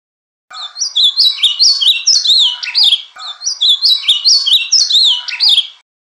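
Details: Ultramarine grosbeak (azulão) giving the Bahia-style song twice in succession, each phrase a rich, fast series of slurred whistled notes rising and falling, separated by a brief pause.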